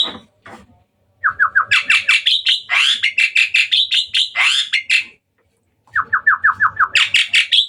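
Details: At night, a hybrid Asian pied starling sings energetically. A rapid run of short rising notes leads into loud, scratchy, buzzy phrases with swooping notes, then a pause, then the same quick rising run again.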